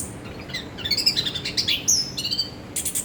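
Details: Anis kembang, the orange-headed thrush, pouring out a rich, fast song of mimicking whistles, trills and clipped notes, each phrase rising and falling in quick succession with brief gaps.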